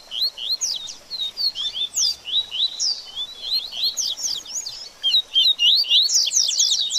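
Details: Double-collared seedeater in baderninha style, played to warm up a bird after moult: a long, lively sequence of high chirps and upward-sweeping whistles, growing denser and louder toward the end.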